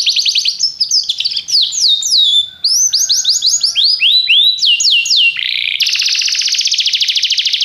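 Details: Canary song mixing fast trills and varied swooping whistles, ending in a dense, buzzy rolling trill.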